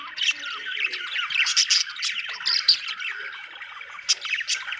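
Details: Budgerigar chirping with wavering warbles and squeaky whistles, punctuated by a few loud sharp clicks, chatter thinning slightly toward the end.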